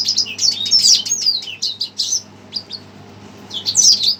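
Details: A red siskin stirred up by a played recording gives fast, high chirping phrases, falls briefly quiet, then starts twittering again.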